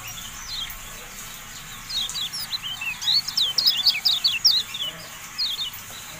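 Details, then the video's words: Javan white-eye singing in a recording used to train and rouse caged birds. A few faint notes are followed by a lively, rising run of high, sharp, downslurred chirps that fades near the end. "MASTERAN TERBARU KECIAL KUNING, FULL AUDIO"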